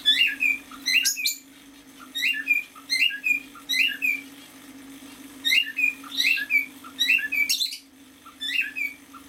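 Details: A six-month-old male cockatiel sings bright, chirpy whistled phrases in repeated bursts about every second, with a steady low hum behind.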